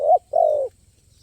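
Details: Spotted dove with a crisp, playful stuttering voice at a luring site. Two hoarse coos: a short one, a brief pause, then a longer falling one.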